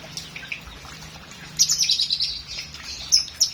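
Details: Lovebird singing in a long, showy competition-style performance: dense, very high scratchy chatter and squeaky trills in bursts, with sharp piercing peaks near the end over a faint low hum.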